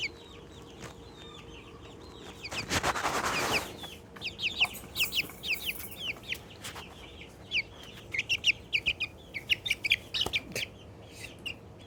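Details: Excited little Australorp chicken making happy sounds: after a brief burst of rustling noise, rapid series of short, high, down-slurred peeps and chirps follow in quick clusters, some louder and sharper than others.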